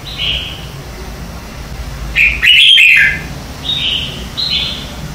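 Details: Red-whiskered bulbul singing its morning song for training captive birds: a short opening whistle, then a loud rolling warbled phrase, followed by two brief clear notes near the end.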